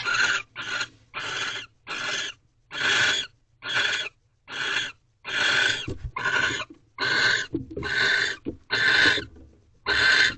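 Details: Barn owl pair in a nest box at night, 13th night of a mating ritual, 2:15 am on 3/3/23: steady run of coarse hissing shrieks, roughly one per second, each short and noisy, with a faint low hum beneath.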